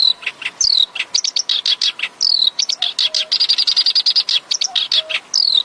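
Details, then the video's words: Black-browed reed warbler song used as a training model for songbirds. A loud, continuous stream of harsh chatters, rising whistled slurs and rapid high ticks varies constantly, with soft lower chirps now and then. "MASTERAN HANDAL BURUNG KERAKBASI ALIS HITAM"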